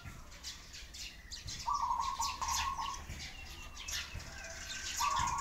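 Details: Pigeons crying: steady, flat, mid-pitched wails, four run close together and then one more after a pause, over a busy background of high, quick sparrow chirps.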